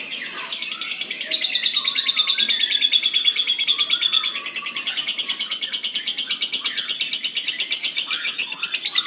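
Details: Lovebird in full song, a fast chattering stream of high squeaky notes repeated about three times a second, with buzzy harmonics and a short quieter opening.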